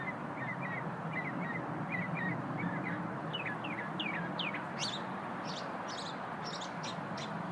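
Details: Unidentified little bird singing at lunchtime, opening with a quick repeated series of short chirps, then rising into rapid high upslurred notes, over steady rumbling noise.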